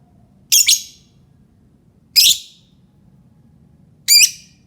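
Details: Three scratchy, buzzy high lovebird chirps about two seconds apart, used to stir other lovebirds into song, over a quiet low hum.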